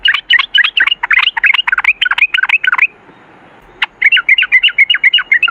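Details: Fast chattering bulbul song, the 'ropel ngalas' style of the yellow-vented bulbul: a quick string of bright, looping chirps, a second's silence, then another even run of repeated slurred notes.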